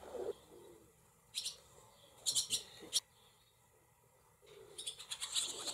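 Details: Barn swallow nestlings in a cowshed with several nests, 28 July 2024: short bursts of high chirps separated by quiet gaps, ending in a denser flurry of twittering.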